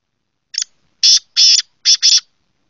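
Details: Black francolin call phrase: a brief clipped first note, two drawn-out harsh scratchy notes, then two fast paired rasps closing the sequence. The bird calls alone with nothing else audible.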